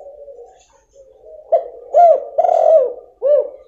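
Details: Female spotted dove calling to stimulate a silent male: low soft murmuring coo, then a few louder throaty coos with swelling, rounded notes, one held longer, ending in a short final coo.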